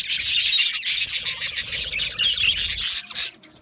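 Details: Yellow male budgerigars in an aviary colony, a dense burst of high scratchy chirps and chatter with short pauses, fading out near the end.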